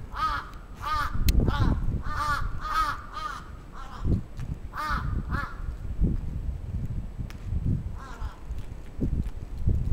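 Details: Crow attacking in Atsubetsu Ward, Sapporo, Japan, on 27 June 2017: harsh, hoarse caws repeated rapidly in bursts of two and three, with heavy low rumbling wind or handling noise underneath.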